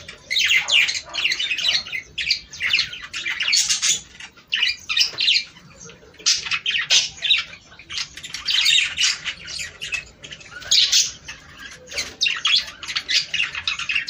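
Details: Flock chatter of budgerigars meant to prompt breeding: repeated bursts of harsh, buzzy warbling and sharp squeaks separated by short gaps over fourteen seconds.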